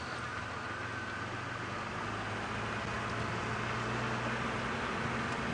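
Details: Sunrise game drive with a vehicle engine idling and rumbling under a constant wash of noise, and no animal voices.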